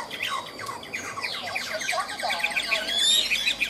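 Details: Caged Chinese hwamei singing in the ngũ trường style, hung out and singing high: a dense run of short, sharp notes repeated rapidly, with bright high whistled accents near the end over faint background hiss.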